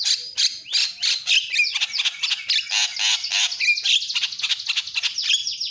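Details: Javan myna lure recording meant to make quiet mynas call within seconds: dense, harsh squawking chatter with rapid buzzy bursts and a few sharp whistled notes, nearly continuous throughout.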